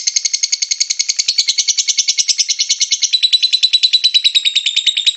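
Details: Lovebird song played to prompt other lovebirds to sing: a fast rattling chatter of harsh, buzzy notes repeated about three per second, high-pitched and steady, shifting slightly lower after three seconds.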